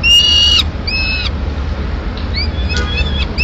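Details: Peregrine falcon at a Madrid nest on 21 May 2016, where a female brings a piece of pigeon to feed two chicks; a few drawn-out, upslurred, wailing calls with strong harmonics, separated by pauses, over low background rumble.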